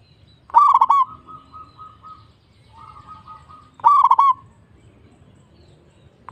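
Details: Local zebra dove heard as a singing lure: two loud bursts of rapid rolling coos about three seconds apart, with softer, steady drawn-out coo notes from another dove filling the gaps.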